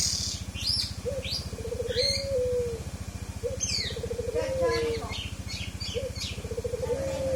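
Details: Low mellow whistles of a forest oriole, isian song, each phrase a short upslur then a long level note falling at the end, given three times among thin high chirps and a continuous mechanical drone.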